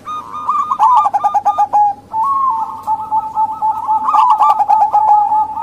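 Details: Zebra dove, local female, whose call is used to attract hesitant males or wild birds: loud rolling sequences of short warbled coos broken by brief gaps, with a constant background tone.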